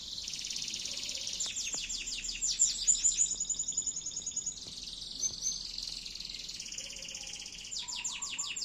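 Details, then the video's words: Canary, kept as a long-duration singing bird, pouring out a continuous high song of fast trills and rattling rolled notes, bright whistled bursts between, with a few lower chirps underneath. "kenari loper durasi panjanggggg"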